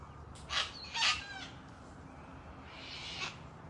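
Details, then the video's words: Cockatoo in Australia, around trees. Two harsh, raspy, broadband screeches in quick succession, then a fainter rasping call a couple of seconds later, over a quiet background. "Cockatoo Tree Walk and Talk!"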